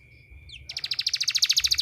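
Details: Canary singing as a training therapy sound: a short upward slide, then a rapid, even trill of sharp repeated notes about twelve per second, growing louder across the phrase.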